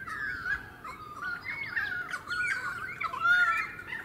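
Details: Pied Currawong (Strepera graculina) in a suburban area of the Sunshine Coast, Queensland, in February 2018, giving a rich, fluting run of whistles that slide and warble up and down at mid pitch for about four seconds, over a soft outdoor hiss.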